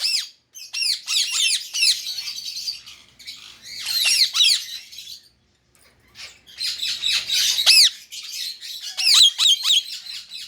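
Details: A pet Indian ring-necked parrot gives fast, scratchy screeching chatter in two long bursts separated by a brief silence.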